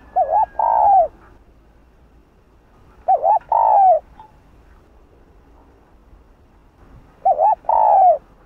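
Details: Spotted dove repeating its provoking 'Hạp Bổi' coo three times, roughly every three to four seconds: each phrase a quick double-noted wobble, then a sustained falling coo, with quiet gaps between.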